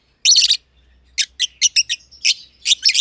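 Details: Two yellow-collared lovebirds, a green and a green pied personata, kept together in an aviary, give sharp, buzzy chirps: a dense burst at the start, then short separate notes about every quarter second.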